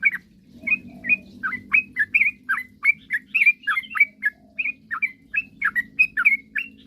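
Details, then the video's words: Yellow-vented bulbul in energetic song, used to lure rivals into singing quickly. A steady string of short, liquid, upslurred chirps comes about three per second over a soft low hum. "suara kicauan trucukan gacor..paling jago memancing lawan agar cepat bunyi"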